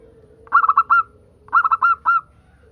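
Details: Song of a local zebra dove, played to get other zebra doves singing: two clear phrases of staccato cooing notes ending in a drawn-out note, over a steady low tone.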